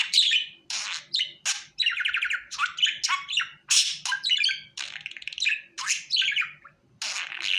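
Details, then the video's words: Pet budgie calling so it will come to the hand, giving dense chattering with squawky buzzes, rapid warbled trills and abrupt chirps that run almost without a pause over a faint background hum. "Muhabbet kuşu Ele Çağırma"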